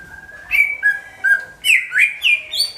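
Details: Loud greater green leafbird phrase, a lure for all birds; flowing whistled notes rising and falling in quick succession, with brighter high slurs near the end.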